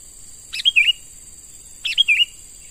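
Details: Young wild-caught sooty-headed bulbul in training as a lure bird gives two clear call phrases about 1.3 seconds apart, each a quick high flick followed by a warbled whistle dropping at the end, over a steady insect drone.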